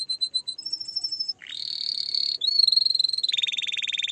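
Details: Canary song with short notes leading into a sustained high whistle, then dense buzzy rolling trills that step in pitch, ending with a broad rattling trill.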